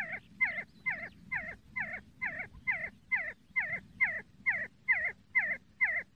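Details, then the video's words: Evenly paced See-see partridge call series: around fourteen loud, hooked notes with a bright top and a sliding lower tone, roughly two each second, against quiet low rumble. "See See partridge sound Кабги Зирак Шикор"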